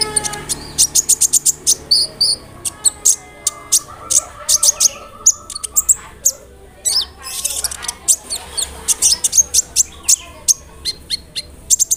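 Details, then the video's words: High-pitched sunbird chatter meant to prompt silent sunbirds to sing: dense runs of sharp ticking chirps and thin whistled notes, several per second, with a brief low buzzy tone mid-way and faint background hum. "SEMUA BURUNG KOLIBRI NINJA AKAN NYAUT DENGAN SUARA KONIN INI"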